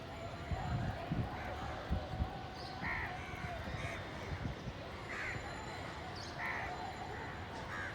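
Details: Hungry village crows fighting over food: scattered hoarse caws, some doubled, at irregular intervals of one to two seconds over heavy low rumbling background noise.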